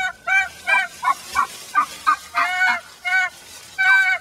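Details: Angry hen inside a chicken pen, unhappy at rejoining the flock, giving harsh honking squawks in uneven bursts, some short and clipped, others longer, roughly one or two per second.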